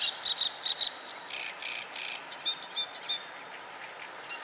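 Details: Mallard (wild duck) with ducklings at Salaspils, 19 May 2017: ducklings give thin, high peeps in quick runs of two or three, with short soft rustling bursts between, over a quiet, even background hiss.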